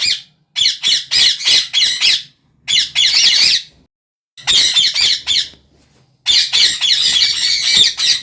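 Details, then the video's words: Parrot squawking in repeated harsh bursts separated by short silences, each burst a rapid series of raspy, grating screeches, with longer sustained screeching runs toward the end. "parrot Bird sound"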